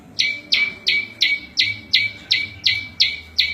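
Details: Prenjak lumut, a small prinia, giving song used for master training and luring wild birds: evenly spaced sharp notes, each dropping to a short flat tail, close to three a second.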